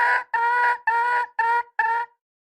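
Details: Hen red junglefowl giving five loud, reedy notes in two seconds, the first few longer and the later ones shorter, separated by brief pauses, in a quiet setting.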